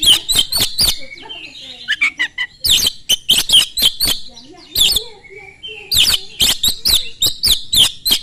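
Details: Fast, loud Oriental magpie-robin song used to provoke other magpie-robins to join in. Dense volleys of sharp, scratchy notes in three bursts are interleaved with softer lower twittering between the runs.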